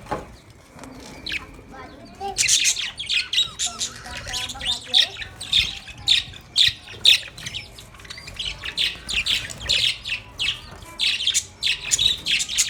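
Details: Budgies playing in their cage, described as happy, begin quietly, then break into loud, rhythmic, scratchy squawking chirps repeated in quick pulses.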